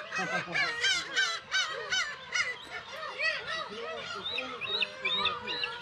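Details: Black-tailed gulls at their crowded Kabushima colony, Hachinohe, Aomori, early summer 2020 with chicks; a loud nearby bird gives repeated short, arched, nasal cries while many others mew continuously around it.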